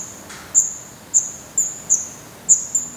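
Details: Black redstart nestling in a Portuguese nest, May 2020, close-up camera. Isolated piercing high squeaks spaced about half a second apart, each brief and sharp, over a quiet background.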